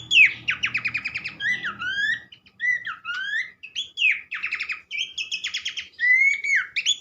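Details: Horsfield's Babbler, called pelanduk semak, singing fast rattles and sweeping whistled phrases in quick succession, with low rumbling noise during the first two seconds.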